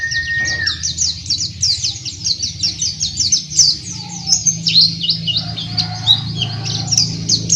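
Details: Rapid high twittering from an oriental white-eye, with Dakbal, Pacitan and Muria varieties compared in open-beak singing; repeated quick down-slurred chirps over a constant low droning hum, and a short whistle near the start.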